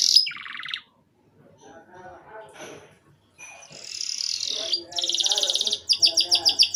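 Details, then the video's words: Short canary song bursts used to prompt young birds to start singing. A buzzy trill opens the recording, then a quiet pause with faint low background murmur, then a high buzzy trill and rapid repeated notes. "RANGSANGAN DAN PANCINGAN KENARI PAUD AGAR CEPAT BUNYI DAN GACOR - kenari lain langsung respon"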